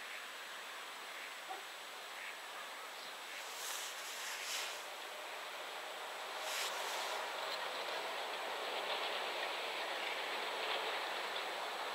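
Only a steady broad rushing noise like wind or surf is heard, with a few brief hissing bursts and no clear animal calls.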